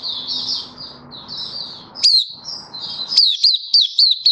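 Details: Malaysian white-eye (mata puteh) in sunny, warm Singapore weather, 20 March 2023, happily singing 'buka'. A soft, continuous warble over background noise gives way to crisp, loud, high chirps repeated several times a second.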